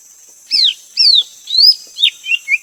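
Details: Greater green leafbird giving loud, clear whistled notes that slide downward, five phrases about every half second, with a short chirpy pair at the end over a steady high insect drone.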